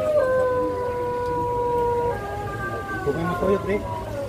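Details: A contest Pelung chicken crow in Banyumas, Indonesia, at the first such contest, held in Karangrau village: a long, smooth, gently falling note of about two seconds, followed by fainter overlapping crows and crowd chatter.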